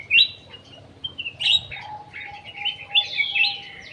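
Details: Kutilang emas (ruby-throated bulbul) song for luring birds: emphatic whistled notes and warbled flourishes, dense and overlapping, with a steady low whistle tone in the background.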